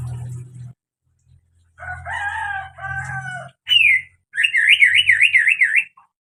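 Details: Strange sounds of a greater green leafbird: harsh grating phrases over a low hum, a sharp upslurred note, then a long rapid warbling trill lasting over a second.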